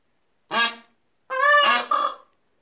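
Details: Frightened peafowl chicks give alarm honks: a short harsh nasal honk, then a longer two-part honk that breaks into a wavering tail. The chicks had been startled at nothing, and a person joined in with alarm noises.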